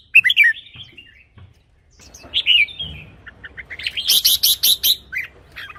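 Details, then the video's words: Red-whiskered bulbul singing, a recording meant for decoying or to rouse caged birds. Warbled two-note phrases are followed by a quick run of sharp, repeated chirps over a low background hiss. "เสียงนกกรงหัวจุก สำหรับต่อ หรือ เปิดให้นกคึก เสียงเพราะๆ"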